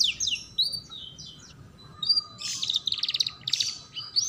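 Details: Tutor song for young canaries learning to sing: high whistled slides and a short steady tone, then buzzy pulsed trills and chirps, with faint low background hum.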